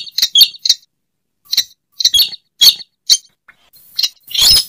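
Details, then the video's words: Sharp, clicking kek notes from a slaty-breasted rail (sintar semak) used for luring, given in small clusters at irregular intervals and ending in a longer rasping note. "Suara pikat burung weris/Burung sintar semak"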